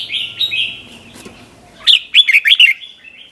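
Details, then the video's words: Red-whiskered bulbul song in the doubled 'berl' style, recorded for teaching young birds: soft buzzy wavering notes at first, then a loud bouncy burst of five quick warbled notes. "เสียงนกกรงหัวจุกเบิ้ล เพลง100อาชีพ สำนวนเพราะมากๆ สำหรับสอนนก-ปั้นนก"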